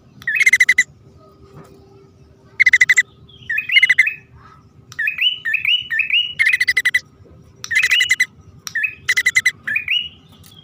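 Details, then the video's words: Male and female bar-winged prinia calling: dry, rapid rattling bursts repeated several times, interspersed with series of short upslurred chirps rising in pitch, clear against a quiet background. "suara pikat prenjak poci/hutan jantan dan betina memanggil jitu"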